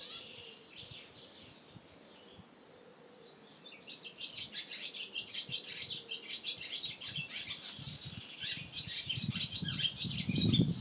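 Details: European swallow singing: a quiet start, then from about four seconds a fast, busy twittering of high chirps and trills that grows louder toward the end, with low rumbling thumps underneath.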